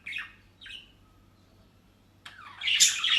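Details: Caged pet budgerigars in the Netherlands eating dry leaves and grass: two short scratchy calls, a long pause, then a loud, dense burst of squawking.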